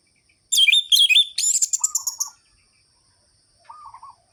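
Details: Orange-headed thrush, known locally as anis merah, singing in a lively rolling style used to stir other thrushes into song: a rich burst of fast, varied whistles and trills lasting about two seconds, then a short low warbled phrase.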